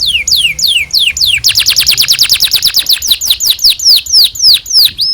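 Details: Canary song used as a training recording for young canaries: several falling whistles, then a long, fast, even series of sweeping chirps that slows slightly toward the end.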